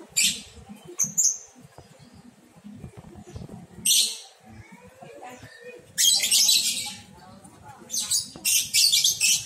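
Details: Lovebird chick of one month, beginning to come out of its nest box, utters loud raspy broadband squawks in bursts, the longest mid-clip, then several quick rough calls at the end, over a quiet hum.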